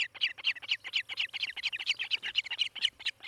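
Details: Osprey at a Montana nest near Charlo, filmed by nest cam on 18 July 2018 late morning, calling in loud, slightly harsh whistled notes, often paired, about fourteen in three seconds, with a low background hum.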